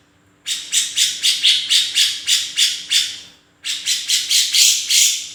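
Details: Actively singing cucak jenggot (grey-cheeked bulbul) gives two long runs of fast, scratchy, repeated notes, each run about ten notes long with a brief gap between them; a low steady hum is heard beneath.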